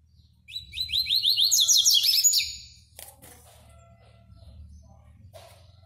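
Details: Fulvo double-collared seedeater, bred in captivity in Brazil, singing in the classic song style: a rapid run of about a dozen rising, slurred whistled notes that climb in pitch over two seconds, then stop. After that, only soft clicks and a low hum remain.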